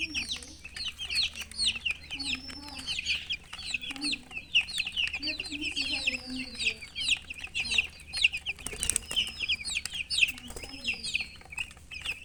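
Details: Chickens chirping: a dense stream of high, thin peeping notes, many overlapping, with occasional longer rising whistles and soft low clucks underneath, plus faint clicks.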